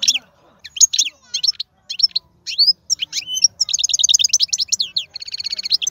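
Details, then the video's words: European goldfinch, a wild-caught bird hailed as an excellent singer, giving scattered chirps and rising notes that speed up into long rapid tinkling trills toward the end. "تغريد الحسون خلوي ممتاز.هذا مقنين هو الأكثر قوة بين الطيور"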